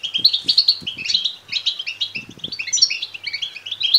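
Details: Goldfinch chick begging, used to stimulate male European goldfinches to sing and mate: fast, bright chirping notes running almost without pause, with a gap around mid-clip and a few light knocks.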